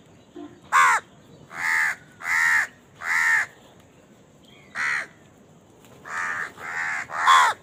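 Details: A crow feeding amid a scramble for food gives about nine rough caws. A quick opener comes first, then evenly spaced cries, a lone caw and a closing run of three.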